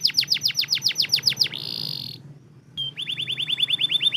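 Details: Canary song for coaxing lazy canaries: repeated sharply falling whistled sweeps, a short buzzy tone, a pause, then a quick series of rising curved notes repeated steadily.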